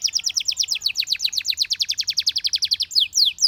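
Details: Belgian canary singing, its voice said to bring many canaries into song: a steady, fast run of high downward-sweeping notes, about seven each second, closing with a few slurred whistles.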